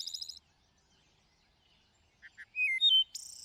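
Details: Song of a thrush: a high buzzy trill fades into a pause, then low double chips lead into two loud pure whistles and a fresh shrill rattling trill.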